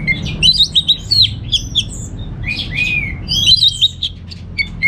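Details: Caged contest orange-headed thrush, North Bali, sings fluid whistled warbles with sliding notes and a drawn-out downward whistle, interspersed with short chips, over quiet hum.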